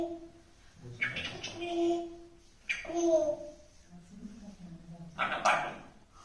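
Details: An African grey parrot talks in Tamil: three clear, speech-like bursts of mid-pitched words with short pauses between them, with faint room echo and low background noise.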